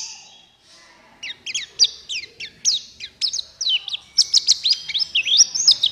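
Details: Buxtoni white-eye singing as a prompt to get quiet white-eyes singing and opening their beaks: a soft high note, then fast, sharp, downslurred chirps tumbling in lively, irregular runs that grow denser toward the end.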